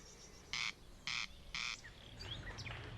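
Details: Corn crake at Alpine Zoo Innsbruck, Austria, giving mating calls to attract a mate: three dry, rasping bursts about half a second apart, harsh and scratchy, followed by faint thin chirps from other birds.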